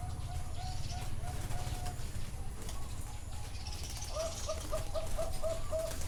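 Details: Zebra dove at a bird farm in Chana, Thailand, heard live. A run of short, soft, mid-pitched cooing notes comes first, then a quicker bouncing series of coos near the end, over a constant low rumble.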